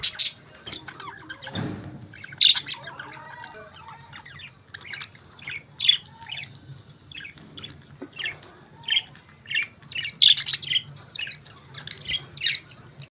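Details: Budgerigars at favourite food keep up steady chatter of short scratchy chirps and squawks, spaced irregularly, with louder sharp notes every second or two and a low thump early on.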